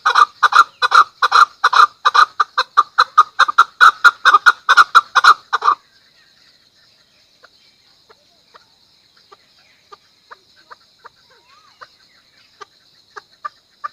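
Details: Harsh, rapid chuk-chuk-chuk series from a Chukar for nearly six seconds, then a long lull with only soft, sparse clucks.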